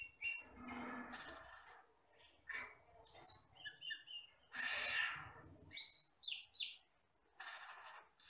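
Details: Asian glossy starling, a wild forest bird, in a tutor recording used for training songbirds: loud bursts of harsh, buzzy chatter alternate with short high whistled notes and brief gaps.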